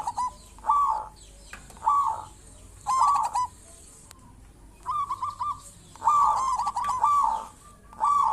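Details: Zebra dove of a local strain in full voice, kept as a lure for its kind; soft trilled coos in short uneven bursts with gaps, some phrases broken into quick stuttering notes, a faint click between.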